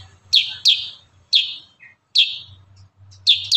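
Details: Kurincang in lively 'tembakan rapat' song, loud piercing notes that drop steeply in pitch, fired in close bursts with brief gaps, a faint low hum beneath.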